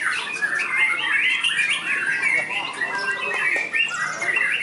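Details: Trained white-rumped shama tested at a contest field, showing a rich mimicry repertoire: a dense, unbroken stream of varied chirps, slurred whistles and harsh squawky notes, with overlapping bird sounds around it.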